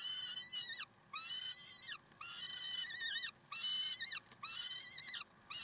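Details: Peregrine falcons, Karlsruhe, 30 May 2010 at 6:56. Regular wailing cries about a second long are spaced by brief silences. Each is harsh and ringing and tails off with a falling slur.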